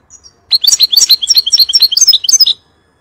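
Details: Goldfinch song meant for training chicks: a two-second burst of rapid, high, tinkling notes, each one short and sliding, delivered in a fast, uneven twitter over near silence.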